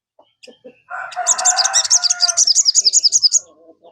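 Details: Sogon lure song meant to prompt a caged sogon to call: a harsh harmonic buzz overlapping a quick high trill of about sixteen evenly repeated chirps over two seconds.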